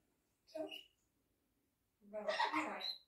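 A grey parrot gives a short raspy squawk, then after a pause a longer, chattering, speech-like burst of mixed high and low tones.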